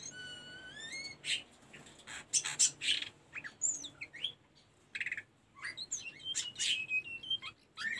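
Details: Tledekan gunung, the Sunda robin, singing on a training recording for caged birds. A rising whistled series opens, followed by varied sharp chirps, trills and bending high whistles in an irregular flowing sequence.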